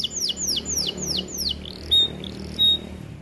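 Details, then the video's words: White AF canary singing a short burst of sweeping downslurred whistles in quick succession, followed by two separate piercing level whistles against a low hum. "Kenari AF warna putih GACORR DORR"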